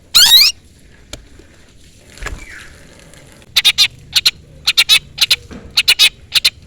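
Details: Long-tailed shrike luring a rival: an opening loud harsh burst, a quiet pause with faint background noise, then evenly spaced pairs of scratchy chattering notes.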